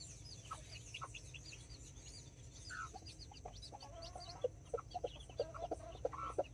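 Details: Hens with nine chicks, mini chickens and Brahma, in a Colombian backyard: soft low clucks and a quick run of short notes in the second half, with many faint chick peeps.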